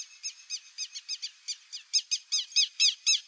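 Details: Buff-necked ibis (Theristicus caudatus) giving a rapid run of harsh, metallic, nasal notes about four a second, growing louder toward the end; buff-necked ibis.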